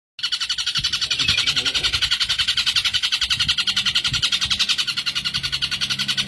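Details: Long-tailed shrike (cendet) master recording of the luxurious 'tembakan' style, used for training songbirds: a fast, steady, buzzy rattling trill of about three to four pulses a second, sustained throughout, with faint low thumps behind.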